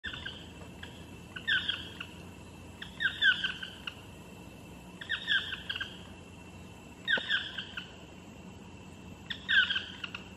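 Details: Chestnut-mandibled toucans calling from a tree above Jaco Beach, Costa Rica, with a distinctive echoing chirp: croaking two-part yelps with layered overtones, repeated every one to two seconds in a quiet background.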